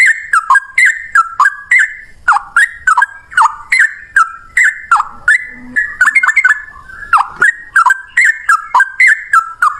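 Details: Yellow-vented bulbul singing ropel in one long breath at cucak rowo volume: a continuous chain of chattering whistled notes that bounce up and down, with a few sharp clicks.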